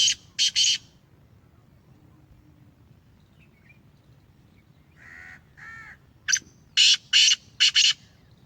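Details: Caged, home-bred Black francolin of the Sheedi strain repeating its grating call: three harsh bursts, a quiet stretch with two nasal notes from another bird, then a louder run of five rasping bursts.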